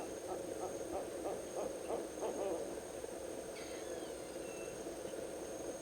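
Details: Barred owl staking its claim on a tree-hole nest site months ahead of nesting; rapid series of short hoots in the first half, then fading, with a brief thin squealing note and constant low hum.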